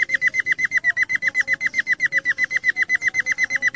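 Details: Budgerigar giving fast, regular chirps, short downward-flicking notes repeated about four times a second in a steady stream, over a quiet background.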